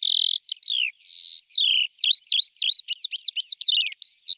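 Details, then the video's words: Lark song opening with steady held whistles and slow downward slurs, then quickening into a fast series of repeated V-shaped chirps. "تغريد طائر قبرة الحقول(القوبع) Chant de Alouette des champs"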